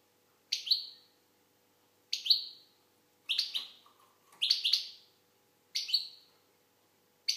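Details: Algerian goldfinch delivering bright downslurred chirps, some doubled into quick pairs, spaced one to one and a half seconds apart over a quiet background with a low electrical hum.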